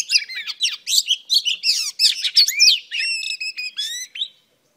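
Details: Female oriental magpie-robin song to stir males: a fast, dense medley of harsh chattering notes and sweet whistles, shifting into clear ringing whistles repeated in quick succession before stopping.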